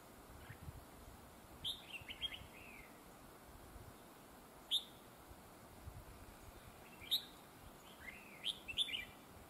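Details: Red-whiskered bulbul kept as a trapping decoy with a fine double-phrase voice; four crisp, sharp-onset warbled phrases spaced roughly two to three seconds apart over quiet hiss.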